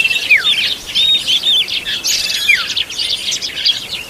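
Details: Oriental magpie-robin tending its young: two crisp downward-slurred whistles about two seconds apart rise out of a thick wash of high chirping from many small birds.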